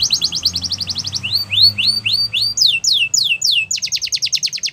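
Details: Yorkshire canary song used to train young canaries, a fast trill of high notes shifting into repeated rising whistled slurs, then downswept notes and a final rapid rattling trill.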